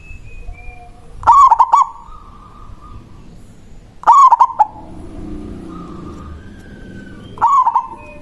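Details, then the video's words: Manggung song of a local zebra dove, loud and meant to call a rival and draw others in: three quick, bubbling, stuttered coo phrases spaced roughly three seconds apart, with faint murmuring background between them. "Perkutut lokal Suara Besar Ampuh memanggil lawan Bunyi manggung"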